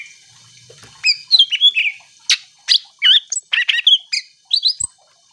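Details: Greater green leafbird singing to make other birds sing along: after a second of near silence, a dense string of whistles, buzzy slurs and sharp high chips runs almost without pause.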